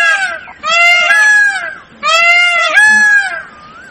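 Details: Loud peacock calls: two long drawn-out nasal wails, each with a bending, arched pitch and a sharp break partway through, over steady background hiss.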